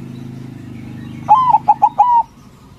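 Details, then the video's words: A white zebra dove, kept for its loud, strong voice and meant to provoke rival doves into answering, gives a soft, mellow cooing phrase: a drawn-out note, three quick clipped coos, then a longer falling note, over a low hum. "Perkutut Putih Gacor Suara BESAR bikin Cepat Emosi Lawan Auto Nyaut Seketika"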